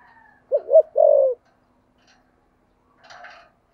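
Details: Spotted dove in "thổ sấm" voice giving one deep "thúc gù" phrase: a pair of quick wavering notes leading into a long steady coo, followed by silence and a brief faint rustling sound.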